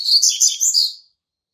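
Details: Young brown-plumaged male Double-collared Seedeater, hatched in March 2019, singing to mark its territory: a one-second burst of four rapid, high, buzzy warbled notes, then silence.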